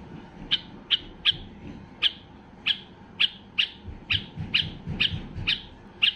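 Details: White-eared bulbul, highly excited, voicing song meant to set other bulbuls singing: short bright notes repeated about twice a second, fairly steady, with a faint low rumble beneath.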